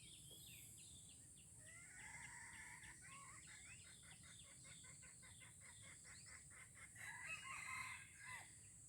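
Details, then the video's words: Red junglefowl in Aceh, crowing during a first test of a decoy lure: banded harmonic notes around one to two kilohertz, mixed with rapid clicking pulses, over a steady high insect drone. "Ayam Hutan Aceh # Pikat Ori test perdana"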